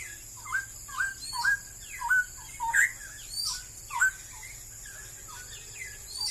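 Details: Straw-headed bulbul, described as increasingly rare in Malaysia, singing a series of clear, liquid, slurred whistled notes about once a second, some rising and some falling, over a steady high insect-like hiss.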